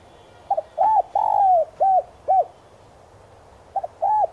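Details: Spotted dove used as a lure for wild doves, singing the 'son' voice style: a stuttered opening note, a short coo, a long sliding coo, two clipped coos, then a pause before the phrase restarts.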